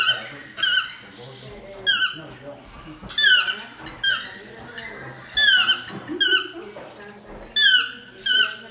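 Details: Chestnut-mandibled toucan giving loud, ringing yelps, each a harmonic note sliding downward, in clustered bursts roughly every second across the stretch, with a low steady hum behind.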